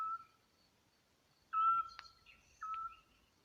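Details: A pair of Eurasian Scops Owls in Alcoutim, Portugal, duet from a tree overhead, trading short, clear, mellow whistled 'tiu' notes about a second apart, one bird nearer than the other; footsteps and a dog heard, recorded by phone.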